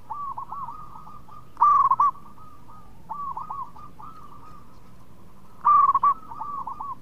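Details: Local zebra dove song, melodious and active: continuous soft rolling coo trills from background doves, broken twice by a loud, near, staccato burst of cooing notes about four seconds apart.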